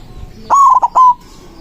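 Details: White zebra dove singing loudly to call rivals, used as a lure; one short cooing phrase of three clear notes, the first held and wavering, a brief middle note, then a final falling note, over quiet background.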